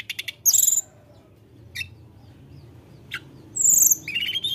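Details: Blood-breasted flowerpecker song aimed at provoking rival birds: quick ticks, shrill high squeaky bursts separated by quiet gaps, and a closing rising thin note.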